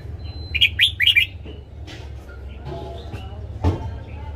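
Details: Red-whiskered bulbul singing its morning training phrase: three or four loud, slurred warbles at the start, followed by scattered clicks and knocks from the surroundings.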